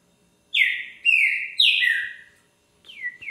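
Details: Song of a green-winged saltator on 20 February, 1:10 in the afternoon: three loud, full whistled notes falling in pitch, then a pause and two softer descending whistles starting again.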